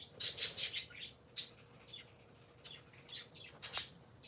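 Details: Three pet parakeets heard on a Sunday morning, opening with a quick trio of sharp, harsh chirps, then sparse softer tweets, and closing on one abrupt loud squawk.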